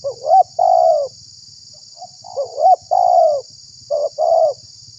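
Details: Spotted dove call used to lure and provoke wild doves; three phrases of quick rising coos ending in a drawn-out falling purr, with a faint low rumble and steady high hum behind.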